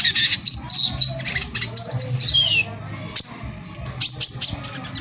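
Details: Brown-throated sunbird in vigorous song, used as bait to agitate other sunbirds into singing; thin, high chirps and sweeping whistled notes in bursts, with a short pause midway before sharp notes resume.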